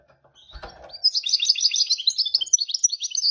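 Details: Goldfinch mule singing: after a soft knock, a fast, high, scratchy twittering begins and runs on without pause, packed with short chirps and trills.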